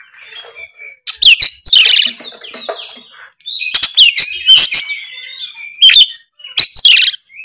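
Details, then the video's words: Oriental magpie-robin in full, loud 'gacor ngeplong' song: bursts of rich whistles, sharp chirps and sweeping slurred notes, with varied phrases broken by short pauses. "suara kacer gacor full ngeplong"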